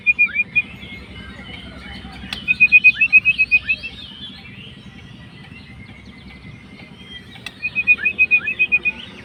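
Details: White-rumped shama of fighter type, singing to provoke an opponent: repeated bursts of rapid chattering trill notes, each run lasting about a second, separated by quieter warbling, with two sharp clicks.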